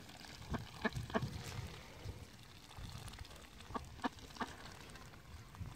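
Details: Muscovy ducks in the mud give short, low, soft calls in small clusters of two or three, scattered through a background of faint rustling and splashing.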